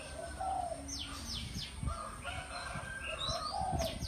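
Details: An Oriental magpie-robin sings in the morning, a varied run of sweet whistles and sharp downslurred notes, with a low rumbling background.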